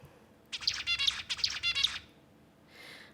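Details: A captive male zebra finch in a lab sings his single unique learned song, the song a courted female hears: a brief burst of harsh, buzzy, nasal notes with a repeated motif, about one and a half seconds long, in a quiet room.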